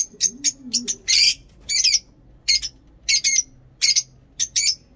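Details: Lovebird uttering sharp, scratchy chirps in an irregular rhythm, with double notes and short squeaky bursts roughly every half second. Faint low voices can be heard at the start.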